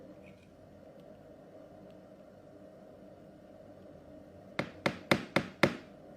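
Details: Quiet room tone, then five sharp wooden knocks come about a quarter second apart.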